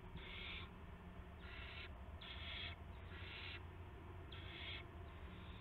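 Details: Evening owl on March 18, 2016, 8:00 PM, with a gopher delivery. Five rapid, harsh hissing bursts follow closely one after another, riding above a low mechanical hum.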